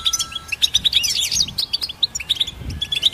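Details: Goldfinch hybrid singing, recorded to help train songbirds: a rapid, bright twittering of high chirps and short trills, packed tightly with brief pauses, plus a faint low steady hum underneath.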